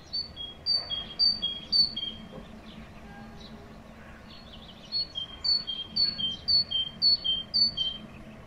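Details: Spring song of a tit, loud and clear: bright two-note whistled phrases, high then slightly lower, repeated rapidly in two bursts separated by a short pause, with faint chirps of other birds and low background rumble.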